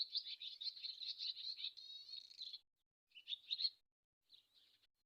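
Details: Swallow chattering in a long run of rapid squeaky notes ending in a buzzy rattle, followed by two shorter bursts of twitter after brief silences.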